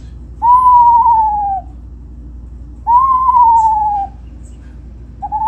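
Eastern Screech-Owl giving long, mournful whistled cries that rise briefly and then slide slowly downward, repeated about every two and a half seconds over a faint steady hum.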